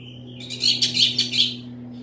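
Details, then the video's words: Orange-headed thrush in loud song: a short whistled lead-in followed by a quick burst of harsh, buzzy, rattling notes in about five pulses, over a faint electrical hum. "Anis merah gacor volume keras"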